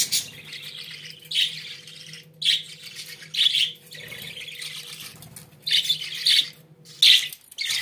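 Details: Pet budgerigars give a continuous scratchy warbling chatter with squeaky chirps and brief pauses, over a steady faint hum.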